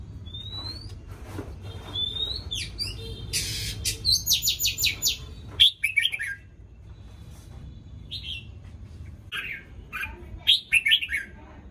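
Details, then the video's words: Morning song of a red-whiskered bulbul fresh from its moult: rising whistles, then a fast run of rapid buzzy repeated notes, followed by several lively chirpy warbled phrases with pauses between. "Chào mào lông ống mới chào buổi sáng cả nhà"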